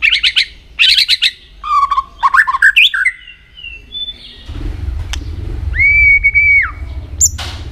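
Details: Shama trained to sing for competition delivers quick chattering bursts and varied whistled phrases, then after a pause a long steady whistle held flat and dropping at the end, over a rising low background rumble.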